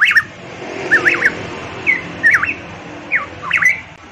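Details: Variable pitohui from Papua singing in full voice, looping whistles that wind down and up in quick twos and threes, about one phrase per second, against faint background noise.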